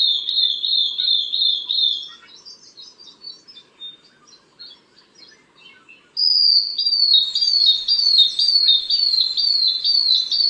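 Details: Long-tailed broadbill (Psarisomus dalhousiae), call.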